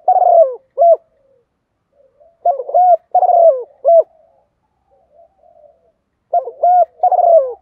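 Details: Spotted dove used as a decoy, cooing in the "giọng thổ pha đồng" voice: mellow, hollow coos in phrases of two or three notes with pauses between phrases, in otherwise quiet surroundings.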